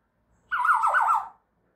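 An African grey parrot gives one harsh, wavering squawk lasting under a second, with a rough mid-pitched warble that dips and rises; no other sounds.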